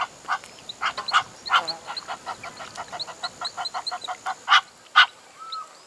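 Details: Reed Cormorant in Kruger National Park, South Africa, giving a rapid series of short, harsh, honking notes, about two per second, uneven and cackling, with a faint steady hiss behind.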